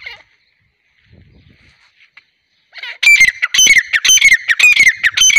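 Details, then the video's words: Female grey francolin (teetar) breaks a near-silent opening of about three seconds with a rapid run of loud, harsh, ringing squawks, repeated almost twice a second until the end. "Gray francolin teetar sound|female teetar awaz"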